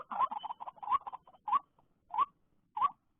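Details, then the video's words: After rain, a white-breasted waterhen filmed during trapping gives a quick cluster of clipped notes, then three spaced upward-slurred notes about two-thirds of a second apart. "jerat burung ruak ruak sehabis hujan"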